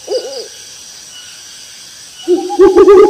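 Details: Owl in the rice fields: a brief wavering hoot, a pause, then a loud run of quick quavering hoots at the end, with faint insects in the background.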